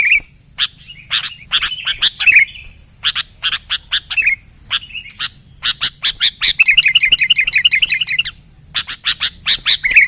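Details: Sooty-headed bulbul singing in lively form, answered by other bulbuls: short warbled, bubbly phrases, one a fast rolling trill, mixed with many sharp broadband chirps repeated in quick bursts.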